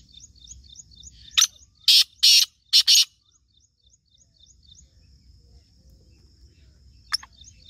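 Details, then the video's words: Black francolin (kala teetar) calling, from Sindh: a loud series of harsh, grating, broadband notes in quick bursts over about two seconds, then quiet, with faint high chirps from another small bird throughout. "Kala teetar ki awaz Sindhi Kala teetar ki awaz"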